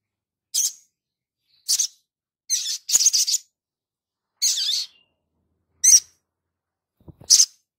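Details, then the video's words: Crimson sunbird singing actively, a recording meant for tutoring other birds: short, very high, scratchy chirps, some doubled into quick stuttering bursts, spaced irregularly about a second apart, with a faint low thump near the end. "Langsung nyaut Sogon gacor ,untuk masteran"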